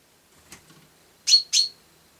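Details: ['House sparrow calling with two strong, harsh chirps a quarter second apart after a soft tick, against a quiet background.']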